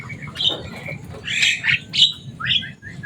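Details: Noisy pet Javan myna, a talking bird with a loud voice, producing rasping squawks and brief whistled notes in quick irregular bursts over a faint background hum.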